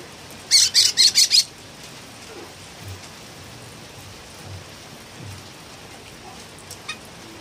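A Philippine bulbul gives a quick burst of five harsh, scratchy notes in about a second, then falls silent over soft pattering like light rain.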